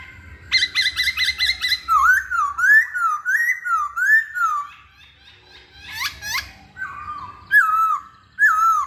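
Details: Cage-kept Hwamei delivering a varied whistled song: a burst of rapid repeated notes, then a chain of rising looping whistles, sharp upslurred notes, and two short emphatic phrases at the end.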